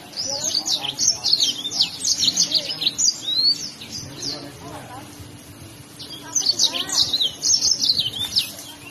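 Yellow-fronted canary singing a bright, rapid jumble of high twittering notes and quick trills in two long bursts, with a short quieter pause between them.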